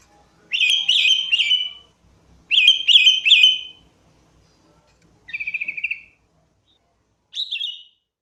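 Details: Sooty-headed bulbul lure song: bright bubbly phrases of three quick warbled notes, repeated twice, then a buzzy rapid trill and a short rising-falling note, with silent gaps between.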